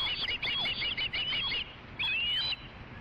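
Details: Osprey calling at a nest camera, 22 August 2013 around 7:37 pm, as a fish is delivered after a chase; quick chattering string of high chirps, a brief gap, then one longer rising-and-falling whistle.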